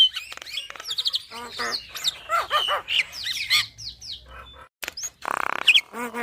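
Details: Javan myna singing energetically with a full, varied repertoire, used as tutor song for caged mynas: dense bursts of harsh, buzzy and whistled notes, fast rattles, then a gap and a raspy nasal burst near the end.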